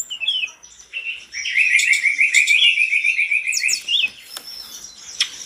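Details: Agitated, loud-singing mountain tledekan that sets off other tledekans. A few high chirps lead into a long, rapid, even trill of repeated notes lasting over two seconds, followed by scattered sharp high notes.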